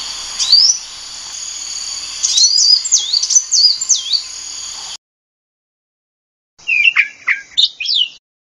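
A sunbird gives quick, thin, high twittering notes in short jerky bursts, rising and falling, in two phrases separated by a brief silence, over a faint steady hiss.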